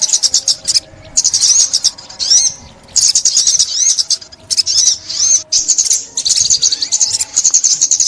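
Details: Sunbird song used as a trapping call in 2021: bursts of shrill, high-pitched chattering trills with brief gaps, plus occasional thin upward-arching whistled notes.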